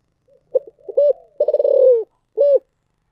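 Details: Spotted dove singing one complete thổ sấm style phrase: a clipped double note, a rounded coo, a long stuttering rolled note that starts in quick pulses and glides lower, and a final full coo.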